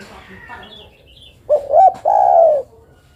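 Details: Female spotted dove calling a male, with faint chatter in the background at first, then two short rising coos and a sustained hollow coo.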